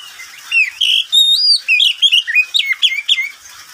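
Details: A pet Oriental magpie-robin (Copsychus saularis) sings in the daytime, a rapid, varied string of clear whistled notes, rising and falling sweeps and sharp chirps, about three per second.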